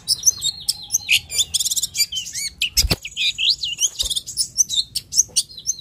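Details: Long-tailed shrike, locally cendet or toed, singing energetically: a jumble of high chatter, a buzzy rattling trill, short whistles, and one sharp loud click near the middle.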